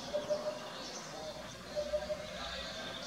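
A Eurasian hoopoe gives two soft, hollow triplets, 'oop-oop-oop', low and evenly spaced, over a steady hiss of background noise.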